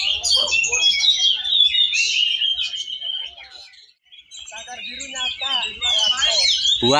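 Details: Kacer, or Oriental magpie-robins, singing in a contest class at Cilegon, 5 December 2023. Loud rapid twittered and whistled phrases open and close the passage, with a quieter lull midway and people talking underneath.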